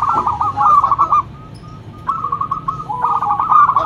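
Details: Zebra dove, a local bird kept for its loud lure song, giving fast clipped cooing trills broken by a short pause, then a second and third rolling phrase.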